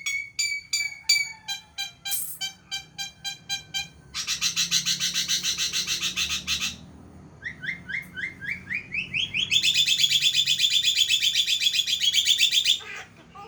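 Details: Javan myna in full voice, said to be able to laugh: whistled harmonic notes, quick repeated chips, harsh buzzy bursts, a run of short rising notes, then a long, fast, harsh rattling trill near the end.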